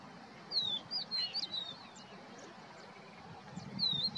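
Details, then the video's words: A crested lark at Poleg swamp, Israel, on 7 April 2022 gives clear, high whistled phrases with slurred, falling notes, one burst near the start and another near the end, over a faint background hum. "עפרוני מצויץ"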